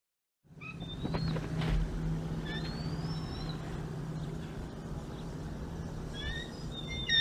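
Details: Bald eagles at a nest on February 17, 2021: a female lands on a frozen rabbit the male brought, mantles and screes while pushing him off the prey. Thin, high whistled screes slide upward, several spread through the clip, over a steady low hum.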